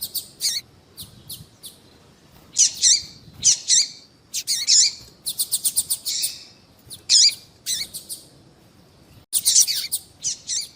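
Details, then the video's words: Female double-collared seedeater calls used to heat up a male for singing: irregular clusters of high chirps and rapid ticking runs, some notes with falling tails, over a quiet background. "Piado de fêmea de papa capim vai deixar seu papa capim cantando"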